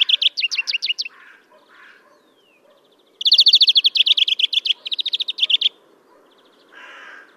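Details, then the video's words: European greenfinch, recorded April 2015 in Kholm, Novgorod oblast, Russia: a short run of chirps, a pause, then a long rapid trill of ringing notes that changes pace midway, ending with a soft rough note. "Обыкновенная зеленушка Chloris chloris, песня / European greenfinch song"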